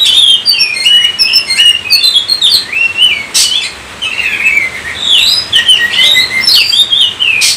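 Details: Oriental magpie-robin in full song, delivering a continuous medley of sweet whistles, twisting slurred notes and a couple of loud scratchy bursts, with a short pause midway.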